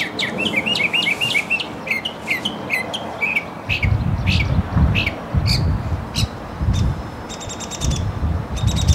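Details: Mockingbird delivering rapid varied phrases: fast trilled chirps, scattered sharp notes, then a quick high stuttering burst, over intermittent low rumbling noise.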